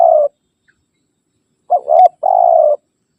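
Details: Spotted dove calling rivals, used to lure wild birds: the tail of a long coo, a pause, then a short coo, a rising note and a sustained rolling coo.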